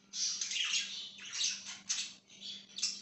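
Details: Parakeet chatter: dense, raspy high twittering runs almost without a break, with sharp chirps and squeaky notes mixed in. A low steady hum sits underneath.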